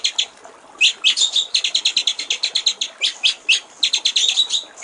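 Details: White-rumped shama giving a clear water-trickle song from a master recording for training songbirds: after a few sparse notes, a near-continuous rapid stream of crisp high chips, some sweeping upward.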